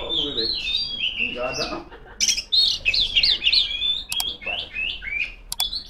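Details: Female Oriental magpie-robin singing to call rivals: a loud, varied run of whistled notes and sliding phrases, with bright sharp clicks around the middle and later, and a faint low murmur at the start.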